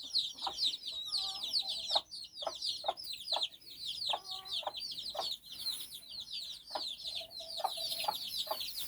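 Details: Chicks accompanying their mother hen on a stroll in Bizkaia, Basque Country, playing and learning. Loud, crowded high peeps fall in pitch one after another, broken by brief low clucking notes and sharp clicks.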